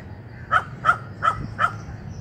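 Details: Gallinule bringing nesting materials, giving four harsh, nasal notes spaced about a third of a second apart over a low rumble of background noise.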